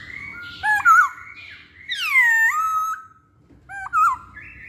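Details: Masked laughingthrush (poksay hongkong) pancingan lure recording: short whistled notes, then a loud harsh descending squawk-like phrase with a rising tail, and another pair of brief whistles near the end.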